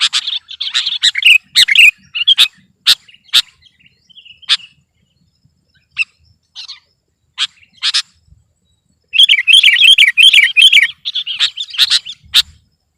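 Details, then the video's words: Sooty-headed bulbul in full, lively song meant to overpower a rival: bursts of bright chirps and warbled phrases, a gap of scattered single notes, then a long fast rippling warble near the end. "Suara burung kutilang gacor || menekan lawan 100%"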